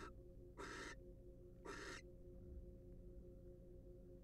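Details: From a wild barn owl nest-box cam: two short, noisy screeching hisses about a second apart, then only a faint low hum.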